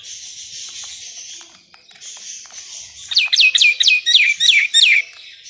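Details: Songbird from a master track for contest birds; a thin hissing trill, then a row of seven sharp downslurred notes.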